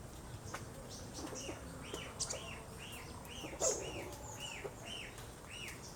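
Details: Wild Asian glossy starling from the Philippines, locally Galansiyang: a steady series of arched, rising-then-falling whistled notes, roughly two per second, with a few faint ticks and high chips in between.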